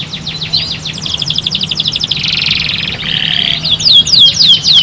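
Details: Canary singing to prompt other canaries into song, fast rolling trills of short repeated notes shifting into a dense buzzy rattle and a lower whistled trill, ending in quick downward swoops, over a faint low hum.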